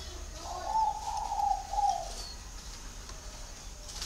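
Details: Spotted dove in Vietnam delivering a clear, mellow coo phrase of about one and a half seconds: a soft opening note, a sustained hum, then a final accented note, followed by quiet hiss and faint high background whine.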